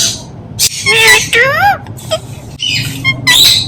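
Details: Indian ringneck parakeet mimicking speech, likely repeating "mithu": short harmonic, voice-like syllables that rise and fall in pitch, separated by brief pauses, ending in harsh high squawk-like bursts, with low background hum.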